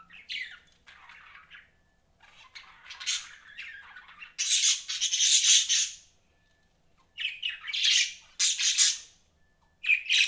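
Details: Budgerigar chatter in uneven bursts of harsh, high warbling squawks and chirps, some soft and some loud, with silent gaps between.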